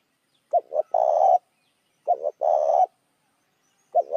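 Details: Spotted dove lure call meant to attract other doves. Two full phrases of a quick double note plus a long coo, then a third phrase starting, with pauses of about a second between phrases.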